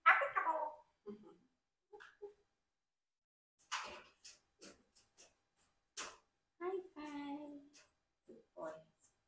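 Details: Rocky, a 4-year-old Congo African grey parrot, chatters in short, speech-like bursts with a few clear whistled tones, answering a "bonjour" greeting in a small room.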